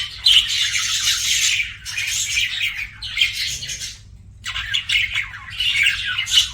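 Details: Budgerigar chatter of grating squawks and high twittering comes in long bursts, broken by a brief near-silent pause around the fourth second before resuming.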